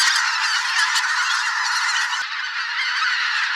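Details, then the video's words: Thousands of migrating geese in a spring swamp, including greater white-fronted, bean, barnacle and pink-footed geese: a dense, continuous wall of overlapping nasal honks with no single voices standing out. "Geese - large flock of migrating birds in spring"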